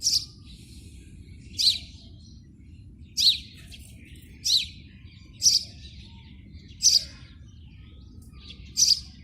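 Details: A house sparrow nesting in a PVC pipe repeats single sharp chirps, seven in all, every one to two seconds, against a continuous low rumbling noise.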